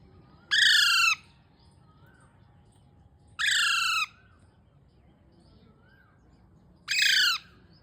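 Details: Baby parrot calling: three loud, harsh, rasping squawks, each lasting over half a second and spaced about three seconds apart, over steady low background noise.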